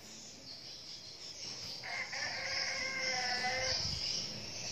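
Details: Young red junglefowl kept as a decoy bird in Bình Phước, Vietnam, gives a drawn-out, fairly faint harmonic crow of about two seconds, steady then slightly falling, over a constant high cicada-like insect drone.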